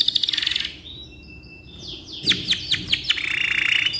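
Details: Canary song meant for tutoring: a fast trill fades into soft whistled tones, followed by several sharp descending notes and a buzzy high warble, with faint low background noise.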